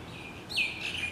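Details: A wild common waxbill in Hawaii, preening on a leaf, gives a single high thin note. It slides sharply downward, then levels off into a short steady tone, with a faint second high note at the end over quiet background hiss.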